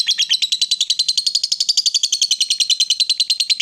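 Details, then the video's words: Female fighter lovebird in long ngekek chatter, a sound used to provoke rivals: quick, harsh, evenly spaced notes rattled off continuously for almost four seconds at high pitch. "SUARA LOVEBIRD BETINA FIGHTER, Bikin Lawan Tak bisa Nahan Emosi, Nyaut Bunyi Ngekek Panjang"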